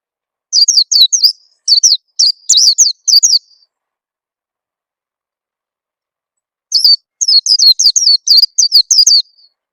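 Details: Two long bursts of rapid, shrill white-eye chirps, each note sweeping downward, played as a lure to make birds sing. A quiet pause of about three seconds separates the bursts.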